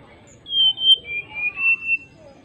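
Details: Greater racket-tailed drongo singing actively to call an opponent, with long, clear whistled notes that slide between high pitches in a run of five linked phrases, over a low background hum.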